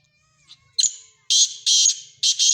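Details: Calling black francolin, known as Sindhi teetar, from a mix of several francolins: a short rasp, then three loud, broad, grating bursts in quick succession, hoarse and scratchy, with almost no background noise.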